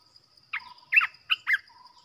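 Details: Caged Olive-winged Bulbul used as a trapping decoy. Four short, bubbly, slurred notes sweep down and up over about one second, with a steady high electronic whine throughout.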